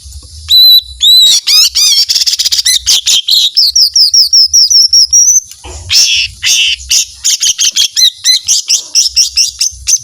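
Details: Lesser green leafbird in lively, talkative song with long bursts of shots: a nearly unbroken stream of sharp high whistles, chirps and quick trills, including a run of about a dozen repeated slurred notes, over a faint low hum.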